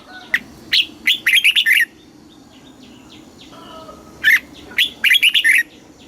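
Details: Red-whiskered bulbul, a caged songbird in Thailand, singing a southern master-style phrase used to stimulate other caged birds and teach young birds: short bursts of bright, chattering whistled notes, two phrases separated by a pause, faint distant birds behind.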